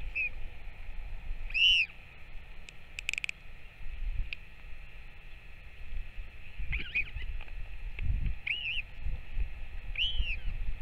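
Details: Feeding visit of a Northern royal albatross parent to its chick, recorded 21 May 2024: scattered arched whining calls and brief clicks among gusty low wind noise and steady hiss.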